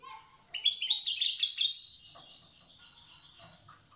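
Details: Wild goldfinch of Tiaret performing the old song style. A few soft notes give way to a loud burst of rapid, sparkling twitters, which fade into a quieter, buzzy trill.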